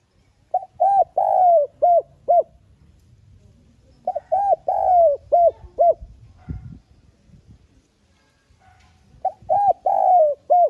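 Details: Lure cooing of a spotted dove, soft urging voice meant to excite captive doves: three repeated phrases of short rounded coos around one long descending coo, separated by silent gaps of about two seconds.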